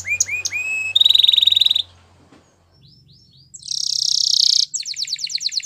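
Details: Canary giving a few upslurred whistles, then a loud, fast pulsed trill, a quiet pause with soft chips, a harsh sustained buzz, and a closing run of rapid notes, with a low hum in the background.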